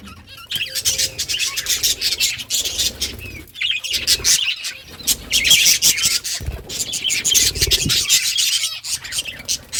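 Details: Budgerigars in a breeding colony during summer, August, playing; a dense chorus of high chattering chirps and warbles, with intermittent wing flapping and scuffling beneath.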